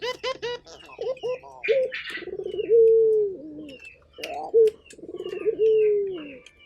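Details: Energetic local turtle dove: quick stuttering notes, then rolling coos ending in long, smooth, falling hoots, given twice, with a burst of hissing and scattered high chirps of small birds behind.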